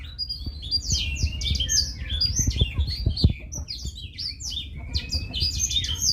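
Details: Blackthroat singing a fast, clear jumble of varied high chirps and slurred whistles without pause, with low thumping noise beneath.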